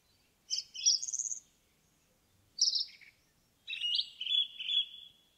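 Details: Indigo bunting in forest sings three separate phrases of high paired notes, sweet and slurred, the last one dropping and stretching into a longer descending run, with near silence between phrases.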